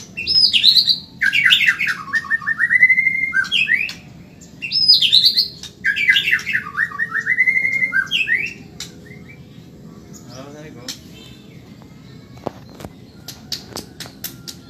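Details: Medan white-rumped shama, fast training song for caged birds: two similar phrases, each a high whistled opening dropping into a descending run of rapid notes, followed by quiet with scattered clicks and taps.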